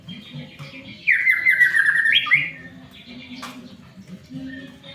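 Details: White-rumped shama song used to prompt other shamas to sing: a loud descending series of rapid stuttering notes followed by a sharp upslurred note, over a low humming background and other faint chatter.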